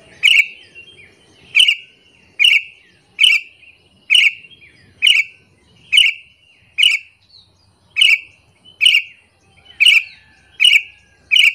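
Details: Sooty-headed bulbul lure call to provoke other bulbuls: harsh, scratchy single notes repeated about every 0.8 seconds in an even rhythm, over faint low background rumble.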